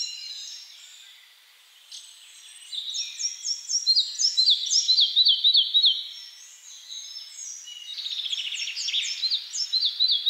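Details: Red-breasted flycatcher in song: after a quiet start, an energetic series of repeated, sharp, down-slurred notes for about three seconds, then a second rapid trilled phrase, with distant bird chatter behind.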